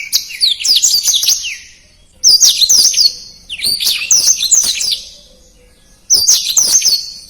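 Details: Small blackthroat giving tutor song in rapid phrases: four short bursts of high, tinkling twitters and slurred whistles, each about a second or two long, with gaps between.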